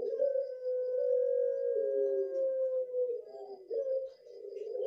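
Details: Pelung dove giving a long, drawn-out cooing call, a steady low hum held for several seconds that wavers and breaks near the end, recorded indoors.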